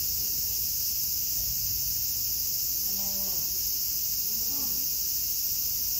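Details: Humboldt penguin (Spheniscus humboldti) at Zoorasia zoo, Yokohama, on 24 August 2022, gives two short, hoarse, moo-like calls over a steady high insect drone.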